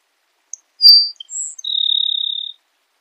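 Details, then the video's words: Song of a Grassland sparrow: scattered high chips and a sharp whistled note, then a long level buzz lasting almost a second, like an insect's trill. Nothing else is heard against the silent background. "Canto do Tico tico do campo"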